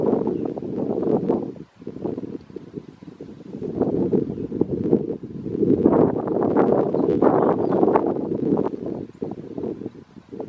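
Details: Hairy woodpecker boring a hole in a tree at a canyon campground in Guadalupe Mountains National Park, Culberson County, Texas, May 5, 2016; dense, irregular dull chipping strikes about three per second, with pauses and rustling wind behind.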